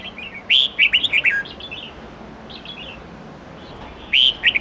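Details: Red-whiskered bulbul singing in a wild-standard style of 8 to 10 notes, intended for training young birds; a lively phrase of quick looping whistled notes, softer distant notes in the gap, then another phrase starting.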